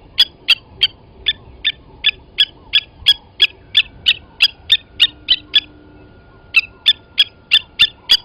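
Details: Blacksmith lapwings on Djuma Game Reserve's waterhole, 29 August 2020, morning, as one adult took a chick from the nest and killed it. A long series of sharp anvil-like clinks, about three per second, broken by one short silence.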